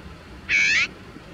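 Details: Azure-winged magpie caught in anti-bird netting and unable to move, filmed with a Nikon compact camera; one loud, grating, slightly rising nasal call of about 0.4 seconds against faint low background noise.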